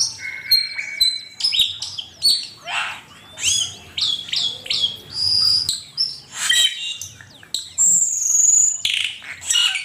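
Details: Asian pied starling delivering a long varied song, recorded as a master for training songbirds: flat whistles, sharp clicks, harsh rasps and bright rising and falling notes in rapid, unbroken sequence.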